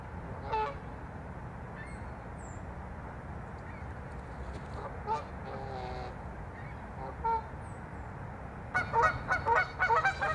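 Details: Canada geese fighting over territory at Waveland Lake on Chicago's North Side: scattered single honks spaced a second or more apart, ending in a burst of rapid loud honking.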